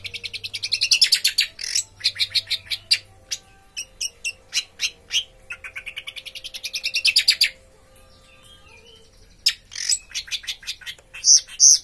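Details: A captive orange-headed thrush with a good body but weak song, per its owner, sings bursts of rapid, high, sharp chirps and trilled notes in phrases of one to three seconds, with short pauses and a faint low hum behind.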